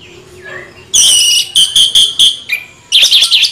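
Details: Rolling ngeroll bocor song from an orange-headed thrush: after a soft lead-in, loud, ringing, high whistled notes repeat in quick pulses, then a final burst of tangled, warbling phrases.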